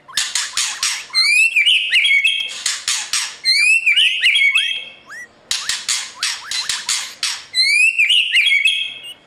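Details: White-rumped shama in morning song, a caged bird trained for singing competition: bursts of rapid sharp clicks followed by upswept whistles rising into bright warbled flourishes, the pattern repeated three times.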